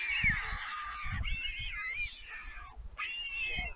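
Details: Fledged white stork siblings returning to the nest in Vriezenveen, Netherlands, on 11 July 2022, when a parent lands to feed them: nasal, honking wails that slide up and down, in three bursts with short pauses and low thumps beneath.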